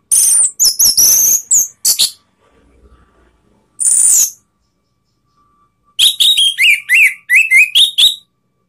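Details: Orange-headed thrush song played as a lure to provoke rivals: fast, high, varied whistles and chips in dense bursts, then a series of lower down-slurred whistled notes repeated quickly, with short silent gaps.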